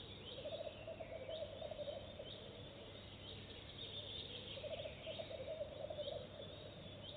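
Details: Goosander on a first visit to a nest box, laying eggs directly: two rattling bursts of quick low croaks separated by a few seconds of quiet, with high twittering of small birds in the background.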